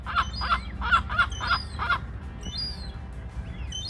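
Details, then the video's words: Gull calling among ducks on water in Norway, recorded on 9 September: six clipped, harsh notes repeated about every third of a second, then the bird falls silent, leaving faint high chirps and low background rumble. "Strange Sound of a #seagull in the #ducks"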